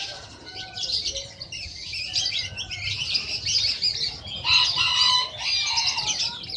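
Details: National champion sunbird of the 'kolibri ninja' type in loud, clear master song: jumbled high twittering phrases with squeaky trills, plus some lower whistled notes toward the end.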